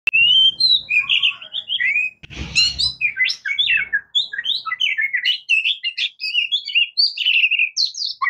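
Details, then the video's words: Oriental magpie-robin, locally called murai kampung or kacer, singing a varied rich song of clear whistled phrases, slurred notes and quick chirps that shift in pitch, with brief low rumbling noise near the middle. "Oriental Magpie Robin Singing | Suara Burung Murai Kampung | Bunyi Kacer"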